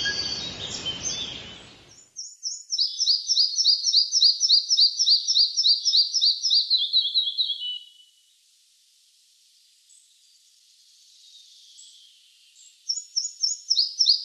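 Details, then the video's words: Red-breasted flycatcher singing: a loud, high series of rapidly repeated two-part notes that steps gradually downward in pitch over about six seconds, then a quiet pause before a new high phrase begins. "Голоса птиц: малая мухоловка"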